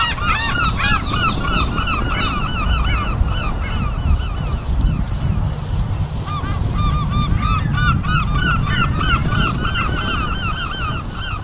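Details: A seagull flock calling through an afternoon, continuous chains of short bent mewing notes from numerous birds, pausing briefly midway, with a constant low rumbling noise beneath.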